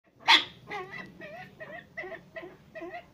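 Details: Brown eared pheasant (Crossoptilon mantchuricum), a tame bird at a pheasant breeding farm that eats from the hand: one harsh, grating burst, then a run of short nasal notes, about two or three each second.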